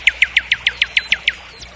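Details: Common nightingale song phrase of nine identical short, full notes repeated evenly about seven times a second, then fading into quiet.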